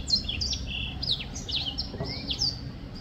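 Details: Black-throated finch singing: quick, high, thin notes mixing short chips with slightly longer level and downslurred tones, packed closely across the phrase, plus one lower rising whistle and steady low hum.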